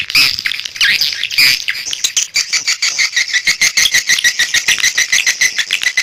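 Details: Calling swiftlets used as a lure: a few loud squeaky chirps open, then a fast, even stream of high ticking twitters at roughly three per second.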